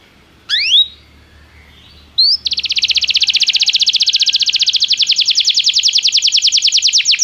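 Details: Belgian canary singing, played as training to make a canary sing with diligence: two brief rising chirps, then a long steady high trill of fast evenly repeated notes lasting several seconds, with faint low background hum.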